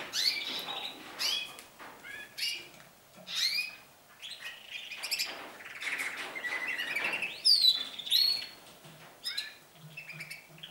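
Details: Several canaries singing as they begin their season of song, with longer and more frequent trills; overlapping high warbles, fast trills and sweeping whistles from more than one bird, loud bursts between quieter passages.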